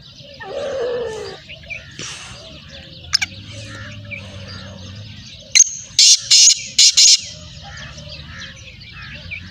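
Black francolin giving a loud, harsh, grating phrase of four or five rapid rasping notes, preceded by softer chirps and a low murmur in the background.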